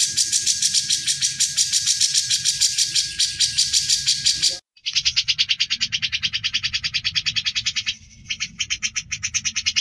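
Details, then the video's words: Ngebren song of a grey-cheeked bulbul, clear and energetic, used to teach champion songbirds: long harsh rattling trills of quick pulsed notes, a brief cut, then a slightly lower, evenly pulsed rattle continuing with a short pause near the end. "Masteran Cucak Jenggot Gacor Ngebren dan Jernih"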